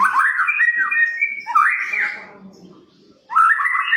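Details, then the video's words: Medan White-rumped shama recorded as a lure for other shamas: smooth whistled phrases and slurs for two seconds, a quieter stretch of low murmuring sound, then a loud renewed burst of whistling. "masteran,pancingan burung murai batu"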